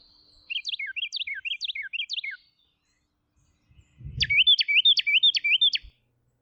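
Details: Neighbouring male Carolina Wrens in a singing duel (counter-singing): one repeats a bright falling rolling phrase four times, then a louder rival answers with five quick, ringing phrases; a brief low thump is also heard.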